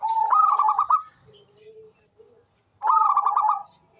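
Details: Local zebra dove, a lively, frequent singer kept as a lure to prompt other doves: two bursts of rapid, bubbling trilled cooing about three seconds apart, with a soft low coo in the quiet gap.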